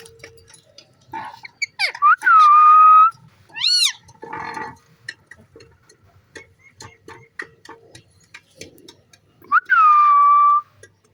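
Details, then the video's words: Green parrot playing with its owner gives two long, falling whistled notes several seconds apart, with a short warbled call, clicks, rustling and a low hum in the background. "Beautiful Green Parrot Playing & Making Stunning Sounds"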